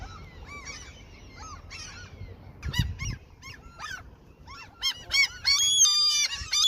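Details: A flock of seagulls fed at a fishing spot in their territory; harsh nasal calls build from sparse cries to a loud, rapid, overlapping clamour, with a brief rumbling knock midway.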